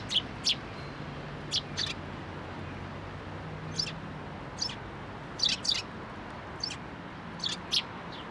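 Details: At a shrine fence post, a group of sparrows arrives to be fed on 21 April 2023, giving crisp, high single chirps spaced roughly every half second to a second, with a low hum underneath.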